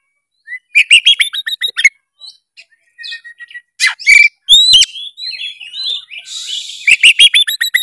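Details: Oriental magpie-robin singing a full 'narung' song meant to spur quiet magpie-robins into singing: fast strings of high chirps and clicks, brief whistled slurs, a harsh buzzy rattle, and rapid ticking notes at the end.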